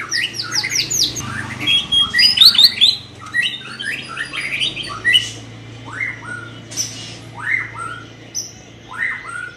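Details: Young white-rumped shama undergoing training: a fast run of high chirps and scratchy notes, then evenly spaced paired whistles that drop in pitch, with a low hum underneath.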